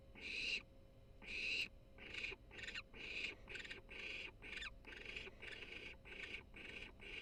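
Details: A baby barn owl, the third chick, purrs in excitement: rough, breathy hissing bursts, about a dozen in seven seconds, quickening after the first two, over a faint steady hum.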